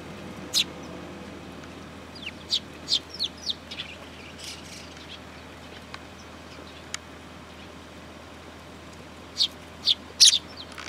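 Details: Sparrows gathering to be fed at a Tenmangu shrine, July 2022: scattered high chirps, a small cluster early, then a long quiet gap before a final burst of several quick notes.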